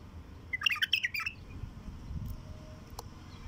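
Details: Raw song of a wild bulbul, used to stimulate other wild bulbuls: a brief burst of bright, bubbly whistled notes, rising and falling quickly over under a second, against faint low background rumble.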